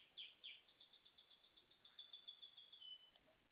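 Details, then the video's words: Canary singing a rapid series of high, thin trilled notes, about three per second, settling into a sustained rolling trill near the end before a short pause; quiet background. "canario trovao"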